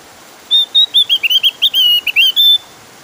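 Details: Javan grey-throated white-eye giving a clear, insistent song meant to draw other birds into singing: a two-second phrase of high whistles that starts steady, breaks into rapid rising and falling slurs, then closes on a level note.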